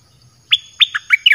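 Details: Short song phrase from a caged red-whiskered bulbul, used as a lure for wild birds: a few sharp, clear up-slurred notes followed by quick warbled twists, loud and clean over a quiet background.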